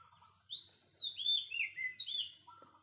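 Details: Wild Oriental magpie-robin singing a quick run of bright, clear whistled notes, each sliding downward, ending in a short lower whistle, over a faint steady background hiss.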